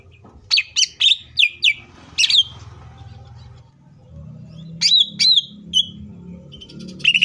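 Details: Green leafbird singing to spur other leafbirds: loud sharp downsweeping chips in a quick series, a buzzy pause with low hum, then a few more clear whistled sweeps.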